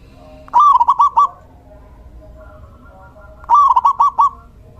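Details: Male local zebra dove in song, used to attract and train other doves: two quick bubbling phrases of about five clipped cooing notes, roughly three seconds apart, over a low steady background hum.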